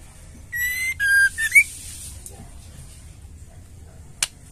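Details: Female white-rumped shama, whose voice serves to stir silent males to sing: one brief phrase of a level whistle, a downslurred whistle and a quick upslurred flourish, followed by near silence with faint clicks.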